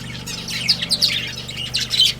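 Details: Budgies of a breeding pair give a short run of thin, high chirps and quick squeaky notes, several in two seconds, over a steady low hum.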